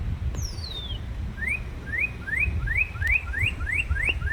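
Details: Northern cardinal chirping: a falling high whistle opens, then a series of clear upward-slurred notes repeats quickly, about three each second, against low rumbling background noise.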